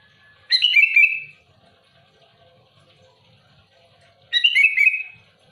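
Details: Sooty-headed bulbul singing loudly and actively to challenge rivals: two short bubbly whistled phrases, each about a second long and sliding downward, spaced nearly four seconds apart in a quiet background.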